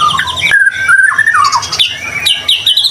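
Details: White-rumped shama singing in full voice, used as a lure to prompt other shamas to sing: long clear whistled phrases sliding between low and high pitch, broken by sharp upward sweeps and bursts of fast trilled notes.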